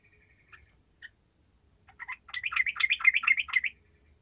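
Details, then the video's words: Sooty-headed bulbul, 'gacor' song for coaxing lazy bulbuls to sing: a few isolated chirps, then a lively burst of quick, gurgling, warbled notes lasting under two seconds. "TRUCUKAN MALAS LANGSUNG MERESPON DENGAN SUARA TRUCUKAN GACOR INI"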